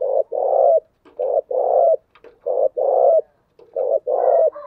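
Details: Spotted dove giving the full repertoire of thúc, gù and gáy gọi calls, used as a lure to draw wild doves. Low, hollow coos come in paired phrases, a short note then a longer rolling one, repeated about every second.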